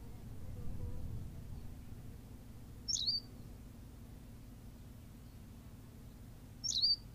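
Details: Brief high chirps from a Berthelot's pipit on La Gomera in the Canary Islands, two calls roughly four seconds apart after a stretch of low background rumble.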